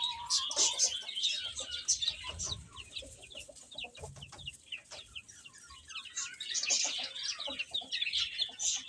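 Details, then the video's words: Baby chickens eating and playing, giving dense high-pitched peeping chirps that overlap continuously from many chicks, with soft low thuds underneath. "Cute Chicks Chirping Sounds"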